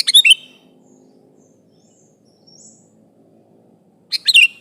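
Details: Sooty-headed bulbul calling an opponent to lure others: a quick bubbly chirped phrase with a dropping whistle, a long pause with faint soft chirps, then a second similar phrase.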